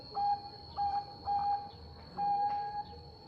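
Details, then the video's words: Bangkok-type zebra dove in full song to provoke an opponent: several level, drawn-out coos of varying length with short gaps, softly backed by faint hum. "Perkutut bangkok gacor mengundang bunyi Lawan langsung Nyaut"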